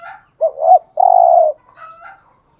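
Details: Decoy spotted dove cooing: a rising double note followed by one long, loud, low hollow coo, then a faint higher chirp.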